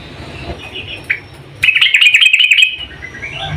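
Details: Female sooty-headed bulbul calling to a male: a loud burst of rapid, bubbling chirps in a quick run, with fainter bird notes and low background rumble before and after.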